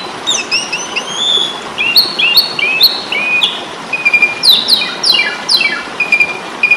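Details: Fighting song of an Asian pied starling, known in Indonesia as jalak suren and used to tutor caged birds: a run of paired whistled notes followed by fast, descending buzzy trills and sharp clicks.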